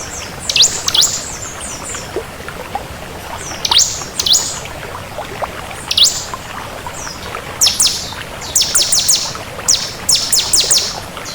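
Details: Crystal bar-winged prinia in lively song: scattered sharp high chips, then bursts of rapid, very high metallic ticking trills, fairly loud over a steady faint background hiss.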